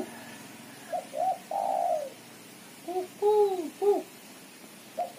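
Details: Chattering call of a female spotted dove, used as a lure: two short notes then a long drawn coo, followed by a series of arched, slightly falling doubled coos.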